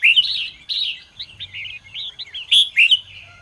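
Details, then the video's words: Red-whiskered bulbul in lively morning song: a nearly continuous flow of loud, melodious whistled and slurred notes, rising and falling quickly, with a few sharp accented notes near the end. "chào mào hót sáng QUÁ HAY - CHÉ KÍCH BỔI CĂNG ĐÉT"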